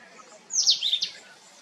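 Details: Sunbird from a family group giving one brief rapid burst of high, sharp, descending chirps lasting about half a second.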